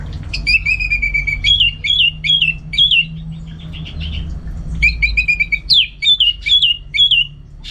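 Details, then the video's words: Caged Orange-headed Thrush in North Bali sings two long phrases of repeated, clear, slurred whistles, each note dipping then rising, delivered in steady rhythm with a short gap between, against a low background hum. "Super Kicauan ANIS MERAH Gacor"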